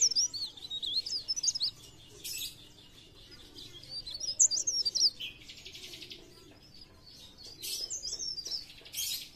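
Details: Sunda warbler in blereng gacor song, 'pre pare', used to lure birds into singing: bursts of high, twisting twitters alternate with quick buzzy trills and short pauses.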